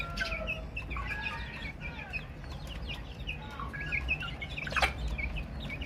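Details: Baby chickens peeping busily, a crowd of thin high chirps, some sliding downward and others rising, tumbling over one another in a continuous chatter above faint low background hum.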